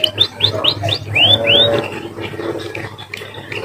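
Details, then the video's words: Emprit, or munia, giving a short canary-like phrase: a few quick chirps, then two louder upswept whistles, after which the song fades into softer scattered notes over a constant low hum. "emprit bird sounds like a canary"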